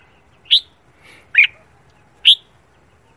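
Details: Red-whiskered bulbul singing in the morning as competition training: three short bright whistled notes about a second apart, alternating higher and lower, over faint low background hum.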